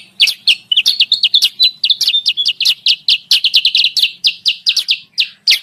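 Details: Sooty-headed bulbul calling, a sound used as a lure for wild bulbuls: continuous excited chatter of short, high, sharp chirps packed closely together with scattered thin whistles.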